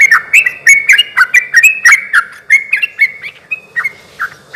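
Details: Yellow-vented bulbul in full song, played to provoke other bulbuls to respond; quick runs of short gurgling notes, some rising, others dipping, slowing and thinning toward the end.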